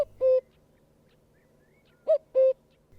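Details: Common cuckoo, a migrant seen in Bangladesh in winter, December to February, giving mellow hooting notes: a lone note, then a clear falling two-note 'cuck-oo' about two seconds later, over a quiet background.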